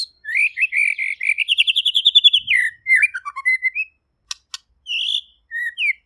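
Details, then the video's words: White-rumped shama in clear song, a long rapid trill climbing slightly then dropping, followed by falling whistled notes, two sharp clicks and short high whistled phrases. "MURAI PASTOR | GACOR DAN JERNIH"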